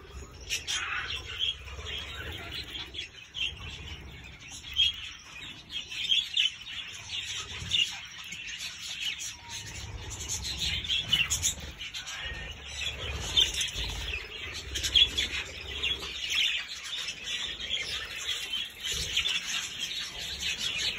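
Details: Budgerigars in an aviary, including two babies on their first day out of the nest, chatter continuously in a dense mix of high, scratchy chirps and warbled notes from several birds.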